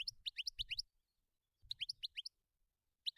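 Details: Wild goldfinch giving short clusters of quick bright upslurred chirps, two bursts of five or six notes and a lone final note, with soft low rumbling beneath.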